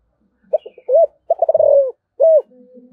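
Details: Spotted dove calling with the 'giọng thổ' voice: clipped short notes, a drawn coo, a fast rolled series and a final clear coo, then a faint low hum.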